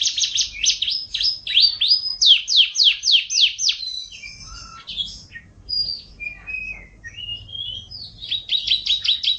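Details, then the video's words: Bird sings a string of high downslurred notes, then varied warbled phrases and short whistles, ending in a quick repeated trill; faint low rumble in the background. "suara burung"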